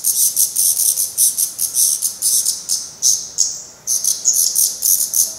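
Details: Black redstart fledglings, head still showing some down, at the nest in Portugal while parents keep feeding them; continuous harsh, hissing high-pitched bursts pulse rapidly, briefly pausing before resuming with a few sharper whistled notes.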